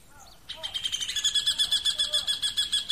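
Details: Rufous hornero (Furnarius rufus) while building its nest: soft slurred chirps, then a burst of loud, shrill, rapidly repeated notes in an even, pulsing rhythm for the rest of the clip.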